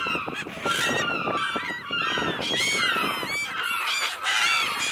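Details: Many seagulls crying at once, arched squealing calls overlapping heavily above a steady roar of background noise.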